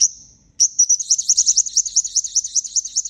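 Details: A fading high note, then a sunbird bursts into a quick, buzzy, high-pitched trill of evenly repeated twitters, used as a lure call for trapping.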